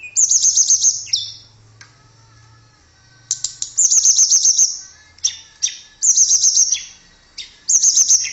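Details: Tledekan, a blue flycatcher, sings rapid ringing high trills in four loud phrases, each a string of bright repeated notes dropping at the end, with quiet gaps between.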